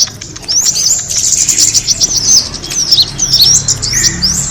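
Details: Kemade birds used to lure other birds: after a quiet start, bright high chirps and downslurred twitters pour in from several birds, with a short lower whistle near the end.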